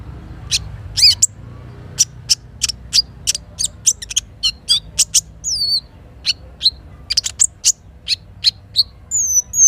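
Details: Little spiderhunter singing in the morning, its song filled with kinin phrases, near a river in forest. Spaced sharp high chips repeat steadily, joined by a few looping whistled notes, over a soft background hiss.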